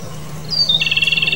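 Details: Japanese robin, a few high thin whistled notes that drop in pitch, then a fast dry rattling trill repeated about ten times a second until the end, over a low steady background hum.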